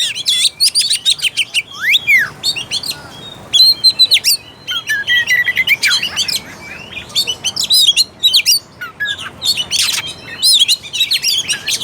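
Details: Oriental magpie-robin song used to provoke a lazy bird into singing and fighting spirit: rich, varied phrases of sharp whistles, rising and falling slurs and harsh chatter, delivered in dense bursts with brief pauses.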